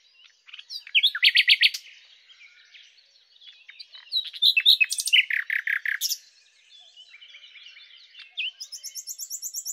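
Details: Common nightingale (Luscinia megarhynchos) delivering rapid repeated note series in loud bursts separated by soft chattering passages, ending in a high accelerating trill.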